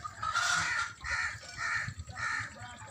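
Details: White farm geese, described as happy while in water, give four harsh, nasal honks in a steady series, each lasting about half a second, with low rumbling background noise.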